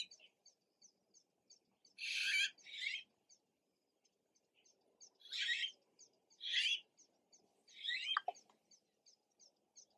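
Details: Recently fledged red-billed blue magpie young giving loud scratchy, buzzy calls, some in close pairs, separated by pauses, over a steady faint rhythmic ticking in the background.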